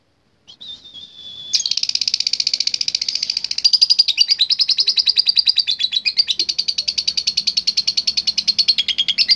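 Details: A few thin whistled notes lead into a lovebird's loud, rapid, raspy chatter. The pulses are evenly spaced and continuous. The bird is kept to challenge rivals in song contests.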